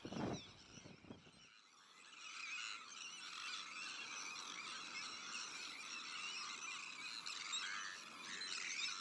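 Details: Sandwich tern breeding colony shared with black-headed gulls, arctic terns and common terns: a dense, continuous chorus of harsh, grating calls overlapping without pause, after a brief low thumping at the start.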